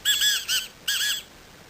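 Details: Black Francolin at Agamon Hula, Israel, on 16 March 2010, giving a loud, harsh, nasal phrase: three quick grating notes, then a longer drawn-out note a beat later. No other sounds.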